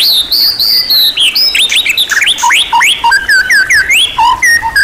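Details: White-rumped shama of champion class performing a varied training song: loud, clear, high whistles sliding down, then a lively sequence of rising and falling whistled phrases, each note separate and crisp.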